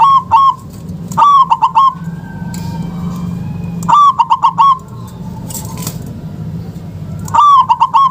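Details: Local zebra dove call meant to coax quiet doves into calling: three clustered bursts of rapid cooing notes, each starting with a clipped stutter, spaced by gaps with faint background noise and a soft whine.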